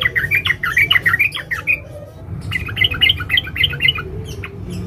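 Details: A female sooty-headed bulbul calling for a male, with lively warbled chirps in quick succession, a brief pause, then another fast chattering run, over constant low hum.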